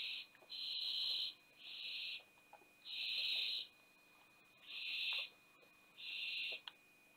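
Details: Barn owl at a nest box in Théding, France, 20 September 2021, during the youngest owlet's fall. Harsh wheezing hisses repeat about every second and a half, some split into two parts, with a faint hum beneath.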